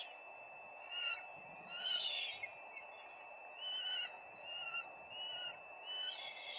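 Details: Nesting peregrine falcons, live nest camera, 4 May 2025; rasping wailed calls come in bursts about once a second, some longer and louder, against a steady hissing background.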